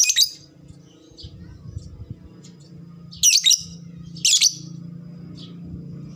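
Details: Fighter lovebird, lure sound to bring on fast ngekek chattering: a shrill burst at the start, then two loud rasping double-pulsed screeches a second apart, with scattered soft chirps over low hum.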